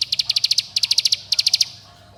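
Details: Mountain bar-winged prinia calling companions and provoking rivals, meant to prompt young birds to sing: three fast bursts of six to eight crisp high ticking notes in quick succession, then quiet low hum.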